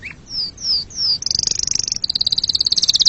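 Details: Short canary passage: three high descending whistled slurs, then a very fast, bright trill of repeated high notes continuing to the end.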